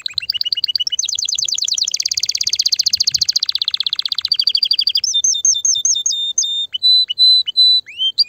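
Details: Domestic canary singing loudly to stimulate mating and prepare females for breeding: rapid trills of repeated notes, a fast buzzy rolling phrase, then slower separated whistled notes and upslurred chirps.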